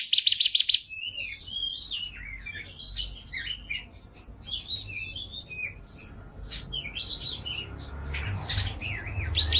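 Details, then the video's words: A canary sings a long, fast, rolling warble of varied whistled notes and chirps, opening with a brief rapid high trill, over a low background hum; a song-training recording. "Suara Burung Kenari"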